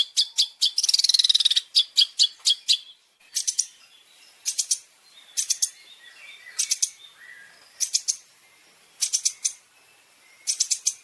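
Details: Long-tailed shrike in a training compilation for caged birds. An opening rush of sharp high chirps and a rapid buzzy trill gives way to short clusters of high chirps separated by brief silences.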